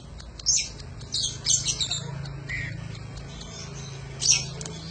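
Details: Training song of an Oriental magpie-robin: a sharp high note, then a scratchy warbling phrase, a short falling whistle, and another sharp burst near the end, over a steady low hum.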